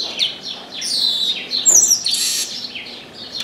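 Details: Brief burst of song from a chestnut-capped blackbird in an orange tree: quick descending whistled notes, one bright sharp trill, and a harsh buzzy note.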